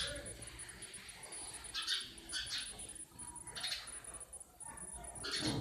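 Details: Sparrows in a natural setting, giving short bright chirps at irregular intervals, some in quick bursts, over a steady high hiss and low background hum.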